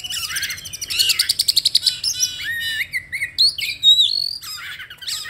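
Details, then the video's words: Oriental magpie-robin (kacer) lure-song recording in rich, varied song: a fast burst of repeated sharp notes, then clear whistles, buzzy rasps and upslurred phrases, all high-pitched and loud. "PANCINGAN KACER JAWARA !!! SEKALI PANCING LANGSUNG COOR"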